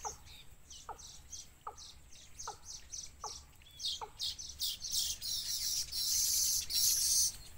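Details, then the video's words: Wild nestlings pull at their mother, begging for food. Short, low, falling notes come roughly every 0.8 seconds, then a burst of loud, high, hissing chirps takes over near the end. "Baby Birds Pulls Mother Down Because They Want Food"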